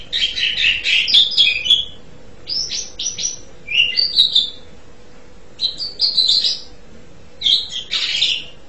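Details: Asian pied starling singing in bursts of loud mixed notes: clear whistles, slurred upward and downward phrases and harsh chattering notes, grouped in several phrases separated by short pauses, over a faint steady low hum.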